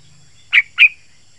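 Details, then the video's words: A yellow-vented bulbul gives two quick, bright, slightly bubbling notes about a quarter-second apart, over a faint steady background hiss. "Trucukan Gacor Rapat Suara Tajam"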